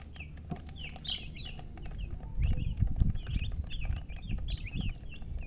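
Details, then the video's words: Several chicks peep in a rapid, busy chorus of high, falling chirps, overlapping at times, while heavy low thumps and rumbling handling noise swell in the middle and later part. "silly chicken chirping sounds"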